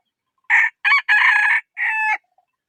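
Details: Loud, clear rooster crow in four bursts: three short harsh syllables, then a longer drawn-out final note, ending in silence.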